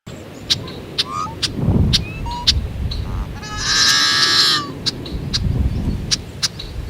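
Yellow-headed Blackbird: sharp ticking clicks and short notes, then a harsh, grating, buzzy screech lasting about a second, like a rusty hinge. A low background rumble runs throughout.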